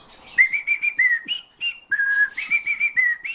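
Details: Eurasian bullfinch trained by its keeper to sing, imitating the keeper's whistle; clear, steady fluted whistled notes in a phrase, several held tones with slight pitch steps, a short gap midway, then more even whistles.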